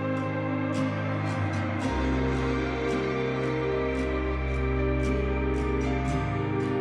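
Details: Gentle instrumental music plays: sustained tones, a shifting bass line and regular soft percussive ticks, with no animal sound.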